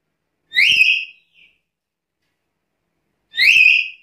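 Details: Black-capped lory in a quiet setting uttering two piercing upslurred whistles about three seconds apart, with a faint short note after the first.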